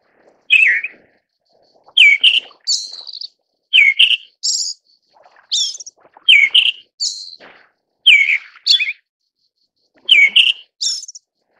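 Eyebrowed thrush giving short phrases: a couple of clear mid-pitched notes, then thin high ones, repeated about every two seconds against a quiet background.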